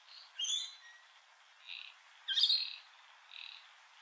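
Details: Rainbow lorikeets calling at Heatherdale Wetlands, recorded with a Canon R7: two loud, harsh, buzzy squawks about two seconds apart, interspersed with softer, raspy chatter notes.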